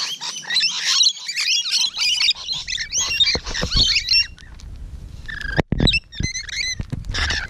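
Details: Rainbow lorikeets at close range on the morning of 12 June 2017, giving harsh, buzzy screeches in dense overlapping bursts, then after a lull a few clearer, sharper squeaks and clicks.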